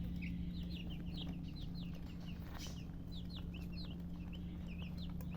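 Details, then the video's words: Baby chickens chirping, clear high peeps that sweep downward, given singly and in quick pairs, with a brief rustle near the middle and a low hum throughout. "Baby "Chicks Chirping" Sound"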